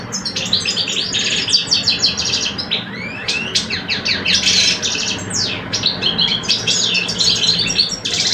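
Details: European goldfinch singing duel between two males, an old bird and a two-year-old: long unbroken stream of rapid twitters, buzzy trills and rising slurred notes, loud and lively above faint low noise.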